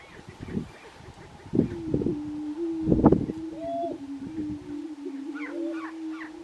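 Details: Lekking grouse in Colorado, 2023, producing a long, continuous low tone wavering slightly in pitch, with a brief higher whoop midway, several sharp thuds and rustles, and faint higher chatter late on.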